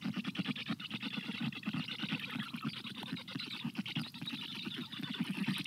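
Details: Nestling black storks on a hot June day in 2022 beg for water in a continuous, dense chatter of hoarse rhythmic pulses and airy hiss, running without pause.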